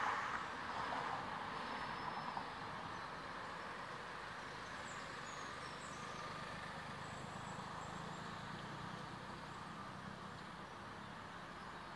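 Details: Steady road traffic rumbles throughout, with no animal voice standing out.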